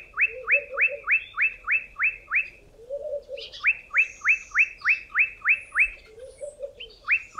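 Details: Olive Bushshrike in southern Africa, a species said to call loudly before rain, singing fast runs of sharp, upslurred whistles, about eight in a row, separated by brief pauses, with a low soft chatter in the background.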